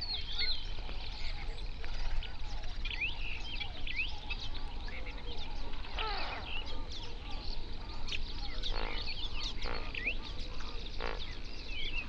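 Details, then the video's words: A dense flock chorus from a national park lake in South Africa's Overberg region, where hundreds of flamingos gather at sunrise; overlapping honking and gabbling calls, sharp high chirps and whistles, and a steady low rumble. "Flamingo sounds"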